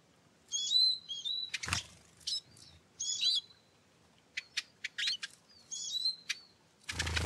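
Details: Eurasian siskin (Carduelis spinus) uttering high, squeaky whistled calls mixed with short sharp ticks, punctuated by a couple of loud broadband rustles or knocks.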